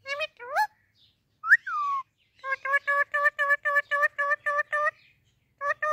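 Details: Pet Indian ringneck parakeet talking while greeting baby parrots: a few rising and falling tonal, voice-like phrases, then a quick run of about ten short, evenly spaced nasal notes and two more notes after a pause.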